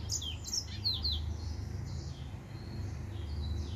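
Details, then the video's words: Male white tip finch in song, giving a short burst of high, thin chirps and slurred whistles in the first second, then fading to faint notes over a constant low rumble. "White Tip Finch"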